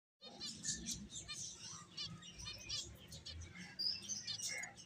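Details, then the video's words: Finches playing, a dense chorus of short high chirps and tweets overlapping continuously, with soft low rustling and thumps underneath. "Cute Birds Chirping Sounds | Beautiful Finches Playing"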